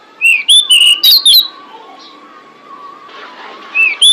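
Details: Female pied bushchat calling to attract males, used as a bird lure. A run of five quick whistled notes opens the clip. Softer background warbling and rustling follow before two more whistles close it.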